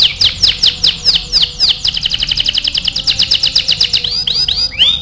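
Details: Training song from an AF canary, delivered energetically: a run of sharp descending chirps, then a long rapid even trill of high notes, ending with a few rising swept whistles.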